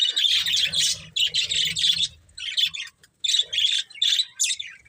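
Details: Budgerigars, a breeding pair, chatter loudly in fast, harsh, buzzy bursts. A brief pause is followed by several clipped, high squawky notes, with low rustling underneath.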